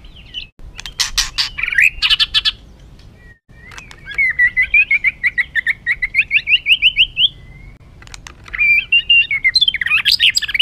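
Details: Agitated white-rumped shama song for stirring other birds: harsh scratchy bursts, then a long rapid series of rising chattering notes, ending in buzzy twittering.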